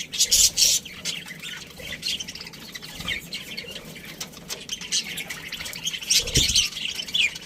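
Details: Chatter from a budgerigar colony of breeding pairs: a loud burst of raspy chirps at the start, quieter murmuring in the middle, then another lively cluster of squawky notes.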